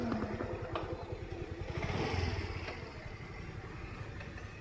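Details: A passing motorcycle engine revving and fading, with clattering road noise and no animal calls.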